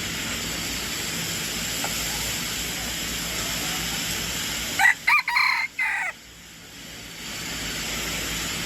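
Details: Red junglefowl kept as a decoy bird crows once after a long stretch of steady hiss, a loud, broken, raspy phrase in three or four quick segments over about a second.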